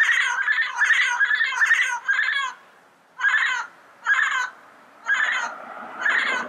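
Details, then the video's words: In its natural habitat, a yellow-headed parrot lets out a quick chatter of rough squawks, then spaced single harsh calls roughly once a second. "Yellow-Headed Parrot Sounds"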